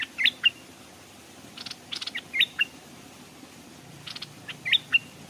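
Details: Streamside decoy Stripe-throated bulbul, with wild birds approaching but reluctant to come down. Crisp whistled flicks and chattering clicks repeat in four short clusters, fairly loud against a soft hiss.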